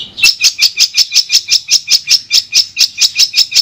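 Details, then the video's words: Long-tailed shrike in a sound therapy recording for a bird that has stopped singing: a rapid, even run of identical sharp high chips, about three per second, over a faint low hum. "Terapi Suara Untuk Cendet Macet"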